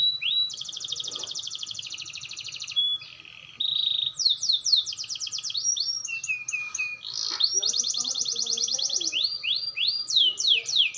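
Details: Young canary learning to roll (ngerol), its voice clear: varied high song of fast buzzy trills and rapid repeated syllables, short pauses between phrases, sweeping downslurred notes near the end, over a faint steady background hum.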